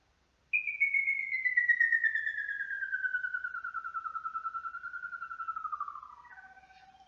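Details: Tapaculo song in southeast Brazil, audible across a valley: a long, fast series of pulsed whistled notes sliding slowly downward for about six seconds, ending on a lower, steadier tone.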